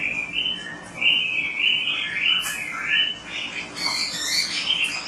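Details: Oriental magpie-robin singing briskly on a recording used to encourage other magpie-robins to sing: rolling whistled phrases repeated about every second, set against a noticeable background hiss.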